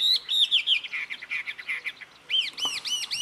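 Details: Jungle babbler from Karnataka, India, mimicking the calls of other birds: a quick run of clear, arched whistled notes, a short pause, then a faster series of looping, rising-and-falling whistles repeated about four times.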